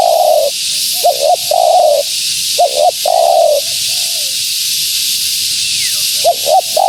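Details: Female spotted dove, used to attract wild doves, giving mellow falling coos broken by quick paired notes. A quieter coo and a gap precede the final double notes, with background hiss throughout.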